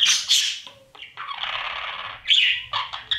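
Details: Nest box of breeding budgerigars with chicks being fed: sharp high squeaks, then a long continuous raspy buzzing call, ending in short chirps.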